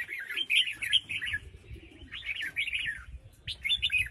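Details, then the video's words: ['A female red-whiskered bulbul of Huế sings to provoke newly caught wild males: short bursts of bubbly, slurred whistles in three quick phrases separated by pauses, over a low background hum.'] "Tiếng Chim Chào Mào Mái Huế Hót ,Kích Chào Mào Bổi Hót"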